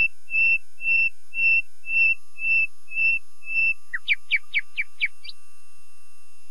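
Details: Common nightingale phrase: seven even, piping whistles at a steady pace, then a fast series of sharp downward-sweeping notes closing the strophe.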